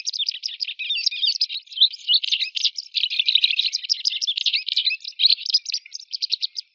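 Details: White wagtail delivering a continuous fast twitter of high, buzzy chirps and short trills with scarcely a pause, sustained and loud throughout, no other sounds present.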